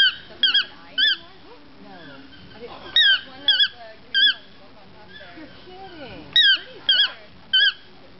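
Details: Toucan in Nicaragua uttering loud, short, squeaky yelps with a quick twisting pitch, singly or in pairs every second or two, over softer chattering and sliding background sounds.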